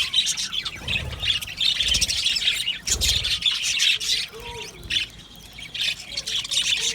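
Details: Many budgerigars chattering together in an aviary colony: busy overlapping high chirps, squawks and warbles without pause, with a few dull low thuds underneath.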